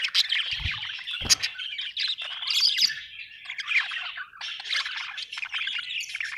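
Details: Budgerigar in a happy mood keeps up a rapid twittering warble with squeaky and buzzy notes, broken by a couple of soft low knocks in the first second and a half.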